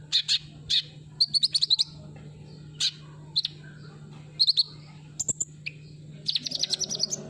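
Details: Lure recording of sunbird song for birds that have stopped singing: clipped high chips and rapid rattling trills in short bursts, with a thin very high whistle near the end and a constant low drone beneath.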